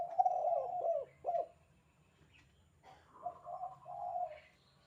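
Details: Spotted dove giving the lively 'kuk 2' style call, used as a tutor recording for training captive doves: soft, mellow low coos, a drawn-out phrase then a short one, a pause, and another rolling coo phrase over faint low hum.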